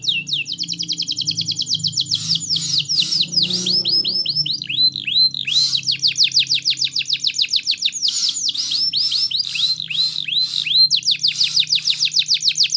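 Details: Long passage of canary song for tutoring young birds: continuous rapid falling whistles alternating with slower looping arched notes and short buzzy bursts, with a low hum underneath throughout.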